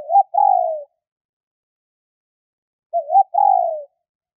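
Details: The call of a female spotted dove, used to stimulate males, is heard twice with a long gap between: a brief warbling lead note, then a sustained gently sinking coo. No background noise.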